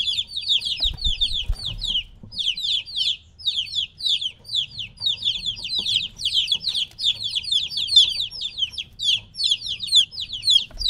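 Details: Three-week-old domestic chicken chicks, separated from their mother, peeping loudly as a group: a dense, unbroken stream of high, downward-slurred cheeps overlapping constantly, with faint low rumbling beneath.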